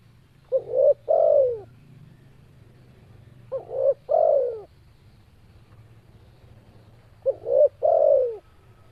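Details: Three evenly spaced coo phrases, about every three and a half seconds, from a very vocal spotted dove. Each has a short low note, a rising coo and a longer downward-sliding coo, over a constant faint low drone.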